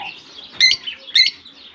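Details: Two piercing, scratchy chirps about half a second apart from lovebirds released into a summer colony in Germany.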